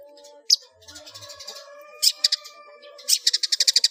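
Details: Long-tailed shrike, ngeplong full isian song used to train cage birds: a single sharp note, then stuttering bursts that build into a fast, even rattle of about ten clicking notes, with faint tones behind.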